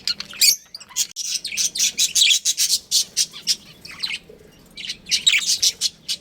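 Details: Budgerigars in a pet colony with a breeding pair, sharp high chirps repeated in fast runs, a short pause near four seconds, then another busy burst.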